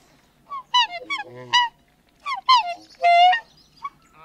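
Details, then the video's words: Two black swans trade close-up bugling calls, some high and clear, others deeper and more nasal, in short bursts spread over four seconds. "CU Calls From Two Birds, Both High And Deep Calls"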